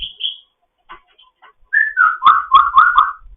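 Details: Morning chatter of a grey parrot in foster care: high whistled notes, soft clicks, then a fast string of five or six wavering whistled syllables in quick rhythm.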